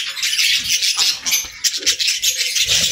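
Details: Budgerigars playing in the evening give a dense, hissing wall of overlapping chirps and chatter that runs without a break for three seconds, with a few faint low knocks underneath.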